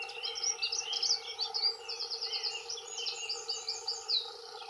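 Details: Male dunnock territorial song, two males: a continuous rapid, squeaky high warble with pulsing bursts of notes and little pause; constant low background hum.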